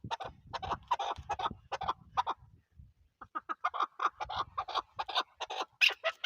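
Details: Chukar partridge, Pakistan's national bird, giving rapid, clucking chuck notes in two bursts split by a brief pause, the second burst climbing into sharper, higher-pitched notes; faint low rumble underneath.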